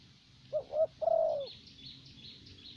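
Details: One phrase from a caged Vietnamese decoy spotted dove, 'thổ bầu' style: two brief soft coos, then a longer rolling coo, with faint high chirping from other birds behind.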